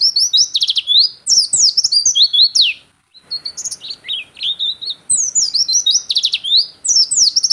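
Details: Oriental white-eye in full, loud song for use as a master recording or lure: bursts of very high, rapid trilled and slurred notes, a brief silence near the middle, then more twittering phrases.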